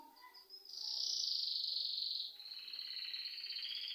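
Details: Bird chirping at home, giving a sustained high buzzy trill that steps down partway into a second, slightly lower rolling trill over a hissy background.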